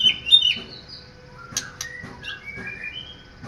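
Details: Kept white-rumped shama singing a fast, varied phrase of clear whistles. The notes sweep up and down at high pitch, broken by sharp clicking snaps and short trills, over a faint steady background hum.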